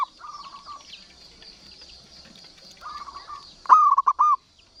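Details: Local zebra dove, kept as a tutor bird to stir quiet doves, gives soft stuttered coos near one pitch, then a loud, clear, bubbling cooing phrase at the end; a steady high buzzing hum runs behind.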